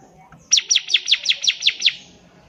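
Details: Bar-winged prinia song for teaching young birds: a single quick trill of eight sharp, downward-slurred chirps lasting about a second and a half.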